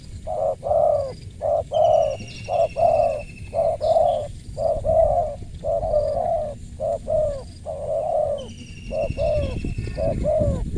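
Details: Crisp-voiced spotted dove giving a long run of soft, hollow coos in twos, each short note followed by a fuller drawn-out one, about once a second, while faint high whistling birds and low rumble sit in the background.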